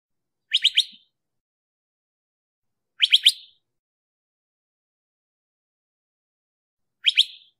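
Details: Crissal thrasher giving a harsh, rapid three-note call, repeated about every three seconds with silence between; no other sounds.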